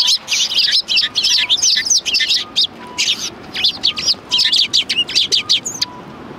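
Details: Several sparrows at a Tenmangu shrine, recorded 4 March 2020, give a dense run of short, high chirps and twitters, closely spaced and overlapping throughout, with a faint steady low hum behind them.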